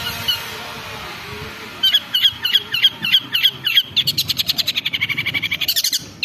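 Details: Long-tailed shrike (cendet) lure for provoking aggressive song: after a noisy start, a steady run of rapid repeated harsh notes, about three per second, speeding into a fast stuttering rattle.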